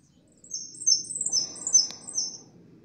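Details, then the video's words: High, sweet twittering from a yellow goldfinch, a rapid run of sliding chirps and warbles for about two seconds, with a soft low background noise. "jilguero amarillo pitando"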